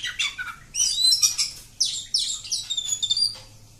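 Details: Oriental magpie-robin in full song, bright high whistled phrases and sweeping slurred notes strung together in quick succession, ending on a low flat tone.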